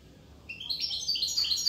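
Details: Short burst of European goldfinch song from Corsica: a quickly rising, tinkling twitter of high bright notes that starts after half a second of quiet.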